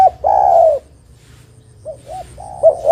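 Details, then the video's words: Spotted dove song used as a lure to call and trap other doves: a long, steady low coo, then after a pause two short rounded coos leading into another drawn-out coo. "Suara Burung Derkuku GAcor Untuk Pancingan Dan Pikat Derkuku Lain Pasti Nyaut"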